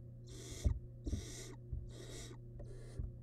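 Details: Nestling barn owl, wild, inside a research nest box while eating a big piece of rabbit; four rasping hiss bursts about every 0.7 seconds, mixed with thumps and scraping clicks from movement in the box.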